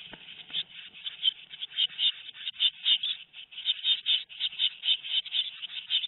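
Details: Tit nestlings, two weeks old, at Théding on 13 May 2019, keep up a steady, high, raspy chorus of rapid overlapping cheeps with barely a break across six seconds.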